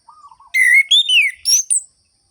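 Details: Lure song of an orange-headed thrush, meant to wake up birds that have stopped singing: after soft low whistles, loud high slurred notes rise and fall in a quick, rhythmic ngerol-ngeplong sequence.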